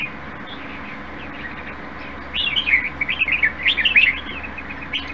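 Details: After a quiet start, a caged red-whiskered bulbul, said to sing well enough for competition, breaks into a fast, tumbling phrase of rising and falling whistled notes lasting about two seconds, over a low steady hum.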